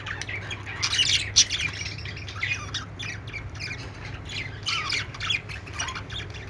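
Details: Happy budgerigar chatter: a flock-like stream of raspy squawks, chirrups and high squeaks in quick succession, rising and falling in bursts over a low mechanical hum.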